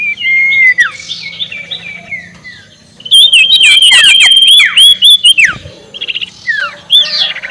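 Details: Ashy tailorbird uttering its ngekek call, meant to anger opponents: sliding, downslurred whistles at first, then a dense, loud chattering burst of rapid notes and slurs, tailing off into scattered sharp chirps.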